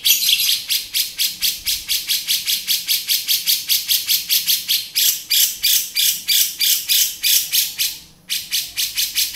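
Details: Male grey-cheeked bulbul in beset style: a long, fast sequence of grating buzzy notes, nearly continuous, with a short break near the end.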